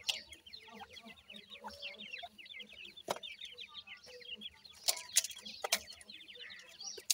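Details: Young Irani teetar francolins keep up a constant, thin, high cheeping from many birds at once. Scattered loud clicks and brief rustles sound near the middle and end.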